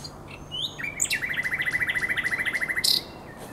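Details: Common nightingale in song by the Żerań Canal during the night of 23–24 April 2022: a sweeping whistle, then a long rattling trill of roughly twenty-five quick, evenly spaced notes, closing with a sharp high burst.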